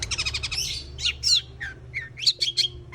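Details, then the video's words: Long-tailed shrike in full song: a fast burst of rattling, evenly spaced chips, then varied harsh squeaky notes and sharp twittering phrases, loud and close, with a low steady hum underneath. "CENDET YANG MALAS BUNYI PASTI AKAN GACOR KEMBALI"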